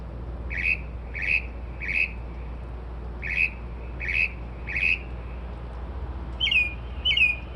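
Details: Night-singing bird between 2:30 and 3:00am, described as mocking car alarms and sparrows; quick triplets of short chirpy notes, a pause, another triplet, then two sharper downslurred whistles, with low background hum.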